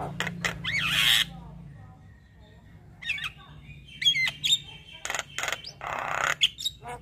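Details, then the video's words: Javan myna with white eyes in nonstop 'isian' song: harsh rasping bursts, a few whistled slurs and sharp clicks, with a faint background hum. "Kicauan Jalak kebo Mata Putih Gacor Full Isian Manggut2"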